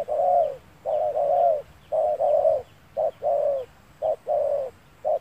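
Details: Spotted dove, a lure bird used for trapping on a sunny day, giving loud, mellow cooing phrases. Each phrase is a short coo followed by a longer rolling one, repeated about once a second over a soft low hum.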